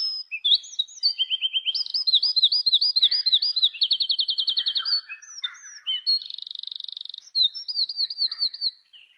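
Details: Unidentified bird sounding like a white-rumped shama, singing a varied run of whistled phrases: repeated looping notes, a fast even trill, a buzzy high rattle and further looped whistles, in a quiet setting.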